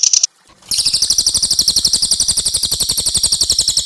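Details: Tutor song for cage songbirds combining Javan white-eye and mugimaki flycatcher: a brief high note, a short silence, then an unbroken rapid, dry, buzzing trill.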